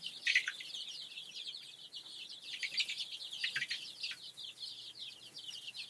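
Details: Many domestic chicks together in a brooder coop, from a layer breeding project, fill the air with continuous shrill peeping, countless short high chirps overlapping, a few louder cheeps near the start.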